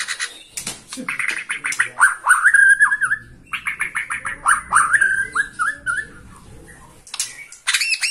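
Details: White-rumped shama from Borneo, roused by a rival and singing from a single perch, mixes sharp clicking bursts with bright whistled phrases that slide and waver, interrupted by brief pauses.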